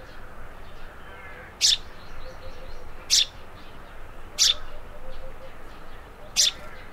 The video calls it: Vogelstimmen: Der Feldsperling - Tree sparrow - Passer montanus